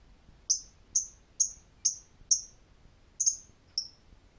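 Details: Lovebird giving sharp, high, downslurred chirps, spaced about half a second apart, seven in all with a short gap before the last two.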